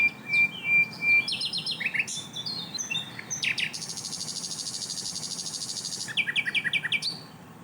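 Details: Asian brown flycatcher in ringing, dense song with tightly packed bursts: a thin whistle, quick chirps and clicks, then a long buzzy high trill lasting over two seconds, followed by a few more rapid chirps.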